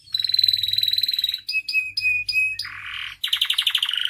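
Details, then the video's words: Canary training song: a fast rolling trill of about a second and a half, four short whistled notes evenly spaced, a buzzy chatter, then another rapid rattling roll. "MASTERAN DAN PANCINGAN KENARI GACOR FULL ISIAN"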